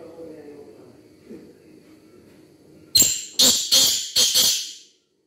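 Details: Black francolin calling: after a quiet, low-rumbling start, four or five harsh, rasping broadband notes burst out in quick succession over about two seconds, then silence.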